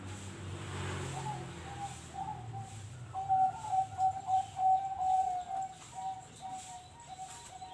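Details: Zebra dove, a contest bird often nominated at regional and national competitions, delivering a run of high, quick stuttering coos in a steady series mid-clip, with low rumbling background noise beneath.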